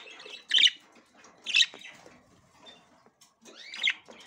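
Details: Female budgerigar attempting to go into the nest for the first time, uttering three loud, harsh chirps about a second apart, the last with a rising, sweeping note, over quiet rustling.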